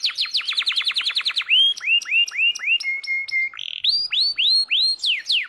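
A canary sings a fast trill of a dozen sharp downslurred notes, then looping swooping whistles, a held steady tone, and more bright high phrases.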